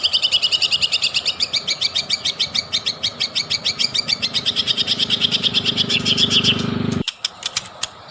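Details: Lure recording of a white-rumped shama in full song to provoke singing: one long, fast, unbroken run of sharp repeated notes lasting about seven seconds ends abruptly, followed by a few separate chips.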